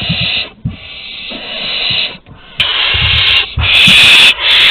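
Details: Near-continuous rasping hisses from barn owls at Théding, recorded August 23, 2020 during a prey handover from an older to a younger bird, with brief breaks and a louder, harsher stretch near the end.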